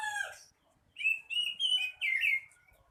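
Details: Kacer, the Oriental magpie-robin, singing actively: a brief rasping note, a short pause, then four loud, sweet whistled phrases in quick succession, each sliding up and down.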